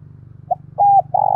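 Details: Spotted dove used as a decoy, calling to lure wild males: a short note, a steady flat coo and a buzzy coo over a constant low droning hum.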